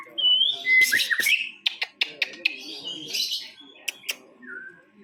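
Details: White-rumped shama at a songbird contest, where it took first place, giving a whistled opening phrase, buzzy bursts and a series of sharp, snapping clicks, then a soft falling whistle.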